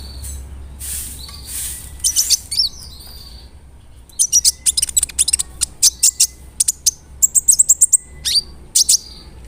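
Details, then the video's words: Big-bodied brown-throated sunbird in full song, used to anger other sunbirds: after a quiet start, clusters of sharp, very high staccato chips rattle out in quick groups. "PANCINGAN KONIN GACOR BODY BIG SUARA NYES BIKIN KONIN LAIN TAMBAH EMOSI"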